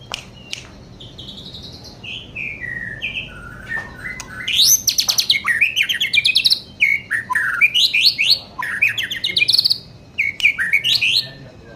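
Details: White-rumped shama, young bird, in full song: opening pure whistles stepping downward, then rapid series of rising sweeps and buzzy trills repeated in quick bursts, loud and varied.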